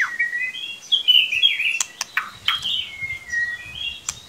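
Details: Lure recording of a white-rumped shama to prompt a young one to sing: rich warbled whistles mixed with sharp clicks, over a faint hiss.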